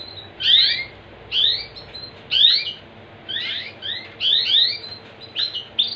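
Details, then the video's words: A canary sings bright, high chirps and rising trills in short bursts roughly every second, with a faint background hum. "Suara Burung Kenari"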